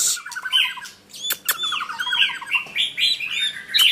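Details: White-rumped shama singing: a fast run of repeated chattering notes, then clear whistled slurs and arching phrases, with sharp clicks between them.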